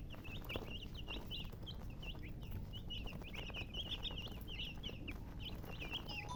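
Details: Several chicks peep continuously, short high chirps tumbling over one another in quick succession, with a constant low rumbling background noise.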